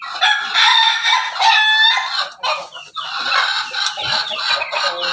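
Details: Crossbred Pelung, Bangkok and Ketawa rooster with a red comb on a farm in Banguntapan, Yogyakarta, crowing in a loud drawn-out harmonic note for about two seconds, followed by mixed clucking from other chickens.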